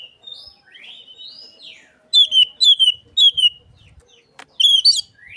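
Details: Lure song of an Oriental magpie-robin copying Asian pied starling: quiet gliding whistles, then four loud, rich, slurred notes repeated about every half second, a pause, and one final harsh burst.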